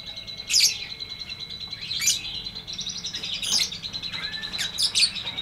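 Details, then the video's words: Lovebird 'ngetik ngekek' tutor song for birds that no longer sing: high, piercing chirps about every one to two seconds, linked by a thin, continuous chattering trill. "MASTERAN LOVEBIRD NGETIK NGEKEK PANJANG FULL DURASI!!"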